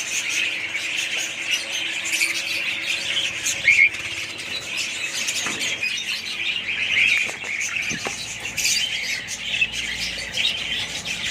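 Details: Colony of budgerigars producing continuous twittering chatter, with occasional louder squawks and a few soft clicks and knocks beneath.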